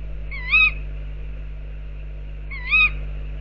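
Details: Tawny owls outside an owl box, giving two short, harsh, nasal calls rich in overtones, each slightly rising then falling, spaced about two seconds apart over a steady low electrical hum.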